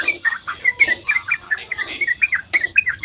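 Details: Sooty-headed bulbul at dawn singing the long 'ropel' used to lure others into song; short, choppy burst of clear slurred whistles and rough chatter over about three seconds.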